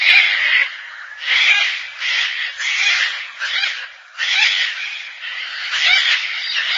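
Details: Gang-gang cockatoo giving a run of harsh, raspy, creaking calls: about seven rough, noisy bursts in under seven seconds, some short and some drawn out, with brief gaps between them and no other clear sounds.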